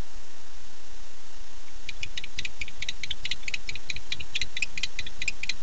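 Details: Male barn owl arriving at a nest site at 9:54 pm on 8 September 2015, calling for his mate: after two seconds of quiet, a rapid train of high clicking notes, several per second, over a low rumble.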